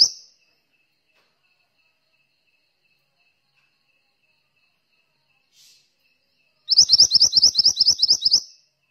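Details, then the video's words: Actively singing mantenan (Malaysian pied fantail): a brief high note at the start, near silence, then a fast run of about a dozen sharp, high-pitched chirps delivered in quick succession. "suara burung mantenan gacor"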